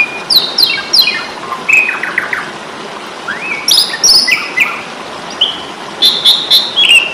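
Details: Asian pied starling singing in fighting mode, used as a tutor recording for songbird keepers: loud varied whistles, descending stepped series of chirps, short rising slurs and clipped high notes in quick bursts over steady background hiss.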